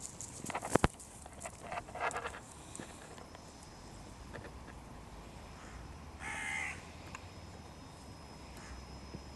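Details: A crow in spring breeding season defending its breeding territory gives one clear, hoarse caw late in the recording, after faint, rougher calls near the start, against steady outdoor background noise.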